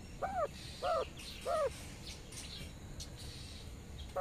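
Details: Mother quail calling her twelve baby chicks to follow her while grazing in the sun, giving short, slurred two-part calls about every half second, each dipping then rising, with faint chick peeps and low background noise.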